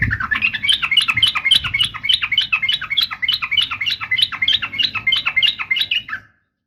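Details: Female sooty-headed bulbul calling to provoke males into answering; a fast run of bubbly, warbled chirps repeats about three times a second, steady and unbroken for six seconds.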